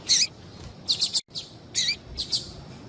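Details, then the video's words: Female double-collared seedeater calling to excite males: four quick bursts of high, slightly buzzy chirps, some doubled, in under three seconds. "Fêmea de papa capim louca piadeira"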